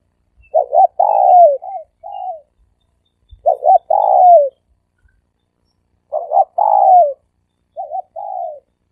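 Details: Dove cooing in the three-coo style used as a decoy lure: three phrases about three seconds apart, each a quick double note, then a long slurred falling coo and shorter trailing coos, with no other sounds.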